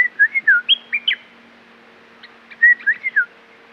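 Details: Red-whiskered bulbul, caged, sings two fluid whistled phrases of rolling, up-and-down notes separated by a brief pause, with a low steady hum underneath.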